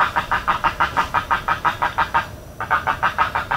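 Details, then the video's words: Steady run of rasping, evenly spaced pulses from a spoonbill, roughly three per second, broken by one short gap; recorded in Everglades National Park. "Spoonbill Sounds in Everglades National Park"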